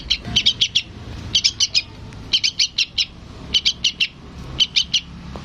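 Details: Yellow-vented bulbul chick calling its parent: rapid runs of three to four piercing high chirps, repeated every second or so, with a soft low rumble behind.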